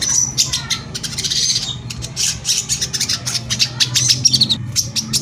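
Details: Brown-throated sunbird lure song in the dense 'tembakan rapat' style, used to provoke rival sunbirds to call: a busy, scratchy stream of high chirps and sharp ticks with scattered thin whistles, over a low background hum.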